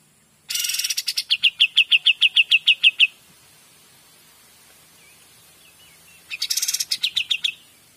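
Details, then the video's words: Kapas tembak, or cream-vented bulbul, in 'gacor dor' song: a harsh opening burst followed by quick, evenly repeated bright notes, then a quiet gap with soft chirps before another rasping phrase with ringing notes. "KAPAS TEMBAK GACOR DOR"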